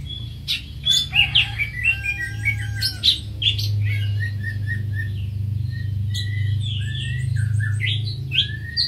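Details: Greater green leafbird pouring out jumbled high chirps, trills and downslurred whistles over a loud, steady low hum, with a drawn-out crow-like tone early in the passage.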